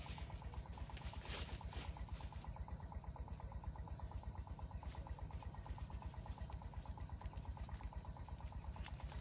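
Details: A motor runs at idle with regular mechanical clicking and some brief speech, with no animal voice audible.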